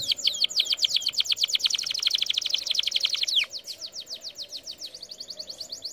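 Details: Canary training song meant to teach canaries: a fast run of high, sweeping notes, then a quieter, steady string of repeated chips.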